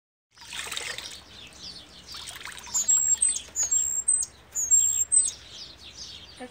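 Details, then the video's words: Cuban grassquit (tomeguín del pinar) singing the 'triple silvado' style, delivered continuously without scolding or whisper notes; after a noisy start with splashing and chirps, very high thin drawn-out whistles repeat in short bursts about every second. "Tomeguin del pinar (EL MEJOR TRIPLE SILVADO)"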